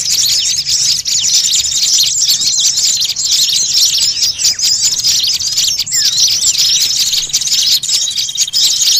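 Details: Noisy chorus of many small birds used as a lure call for catching small birds: dense, overlapping high chirps, twitters and short rising whistles pour out continuously with no pauses or other sounds.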